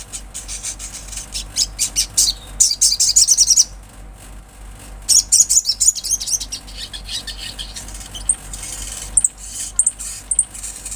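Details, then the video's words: Olive-backed sunbird song, recorded in natural surroundings for stimulating captive birds: bursts of very high, thin rapid twittering trills in short runs, with pauses between phrases. "Sogon gacor suara Asli Alam"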